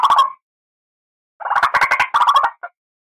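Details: Lure recording of a white-breasted waterhen: a single harsh croak, a silent gap, then a fast stuttering series of rough nasal notes ending in one clipped note.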